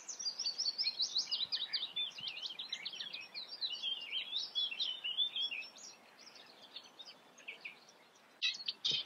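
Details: Harsh, hurried Eurasian reed warbler chatter, notes repeated in quick grating runs, fading after six seconds, then a loud sudden rustle or knock near the end.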